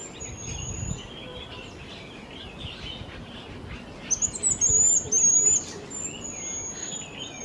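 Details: Jerdon's bush lark recorded in Kerala: faint high whistles give way to a louder sequence of sharp, thin, rapidly varied whistled notes for about a second and a half, amid distant chirping birds and background hiss.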